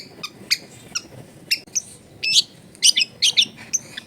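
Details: Long-tailed shrike at home in a densely populated neighbourhood, uttering sharp, very high chips and squeaky notes in irregular clusters, some doubled in quick succession.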